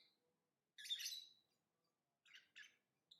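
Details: A single harsh, buzzy lovebird screech, then after a pause two shorter raspy chirps in quick succession, all high-pitched.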